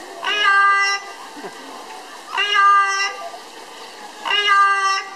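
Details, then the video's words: Parrot at the Dallas Zoo singing "Old MacDonald Had a Farm": three drawn-out, nasal, tuneful notes rich in overtones, each lasting under a second and spaced about two seconds apart. "Parrot singing "Old MacDonald Had a Farm""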